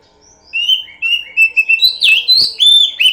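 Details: Lure song of an oriental magpie-robin, loud and varied, with slurred whistles and quick rising and falling sweeps repeated in a fast, uneven run of phrases.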